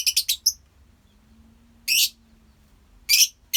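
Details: Lovebirds in a colony: rapid run of shrill chips at the start, then harsh, raspy screeches spaced about a second apart.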